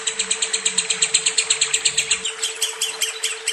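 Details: Lovebird song with a kapas tembak fill: rapid, even chattering chirps, about seven each second, shrill and rasping, softening and loosening near the end, over a steady low electrical hum.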